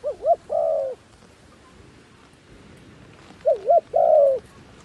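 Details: Decoy dove calling wild doves: two phrases, each a pair of quick wavering low notes then a long steady coo, separated by about two and a half seconds of quiet.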